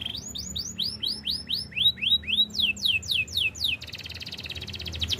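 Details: Belgian canary training song: a run of repeated arched whistled notes at about five per second, then quicker descending sweeps, ending in a rapid buzzy trill, over a faint low hum.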